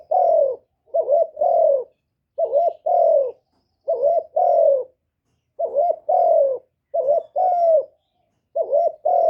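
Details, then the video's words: Spotted dove used as a decoy, calling to rouse other captive doves; low, hollow coos in repeated pairs, a short note then a longer falling one, about every one and a half seconds in a steady series. "Tiếng chim cu mồi GÁY GỌI + THÚC + GÙ"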